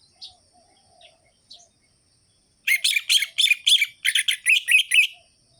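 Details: Lively orange-headed thrush song in the sharp, rhythmic ngerol-ngeplong style, played to stimulate lazy birds: a rapid run of about a dozen crisp chirping notes after faint scattered calls.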